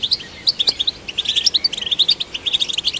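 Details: A singing goldfinch, played to stimulate goldfinches, gives crisp, bell-like chips and twitters in a quick, lively sequence, each note short and bright.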